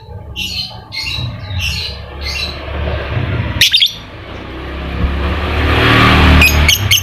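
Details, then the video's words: Lovebird ngekek chatter played as a lure for a lazy, silent bird: rapid high squeaky bursts repeat about twice a second, then give way to loud hissing noise with a few sharp clicks and a final squeak. "Pancingan Lovebird malas bunyi, agar aktif Ngekek"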